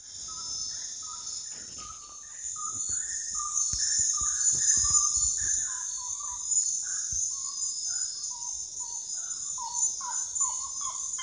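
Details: Common gallinule giving a long series of short clucking notes, rising and falling in steps, quickening and slowing, over a loud steady high insect drone throughout.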